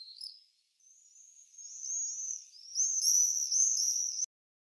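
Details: Shrill, buzzy screaming of common swift: a short high note, then a long wavering trill that swells into loud overlapping screeches before cutting off abruptly.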